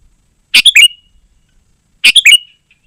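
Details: Sooty-headed bulbul singing gacor-style, meant to lure wild bulbuls and train caged birds. Two quick phrases of three chirpy notes, each ending in a drawn-out whistle, spaced about one and a half seconds apart.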